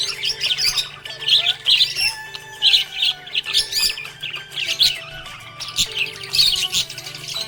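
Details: Cheerful budgie chirps in rapid, uneven bursts of bright, high twittering and squeaky notes, with background music.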